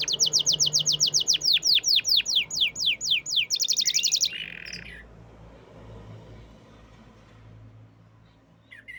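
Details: Prize-winning canary in full song: a loud, even trill of downward-sweeping notes, about four per second, breaking into a faster rattle and a short buzzy phrase, then quiet with faint background hiss.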